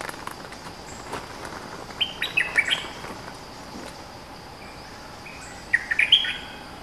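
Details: A dominant local bulbul (nok dok taeng), a lure singer known for long songs, delivers two quick phrases of sweet, bubbling whistled notes a few seconds apart over a steady, faint background hiss.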